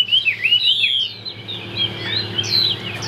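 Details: Chinese hwamei kept as a songbird, singing a few high wavering whistles that grow softer and trail off, over a faint steady hum.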